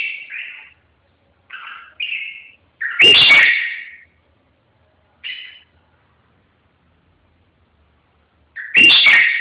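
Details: Red-whiskered bulbul song: short, clear warbled phrases with gaps between them, broken twice by a loud harsh burst of noise.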